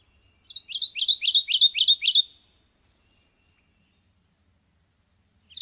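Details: Sylvia cantillans, the Subalpine warbler, delivers a short, bright chattering phrase of seven quick high notes lasting under two seconds, followed by silence.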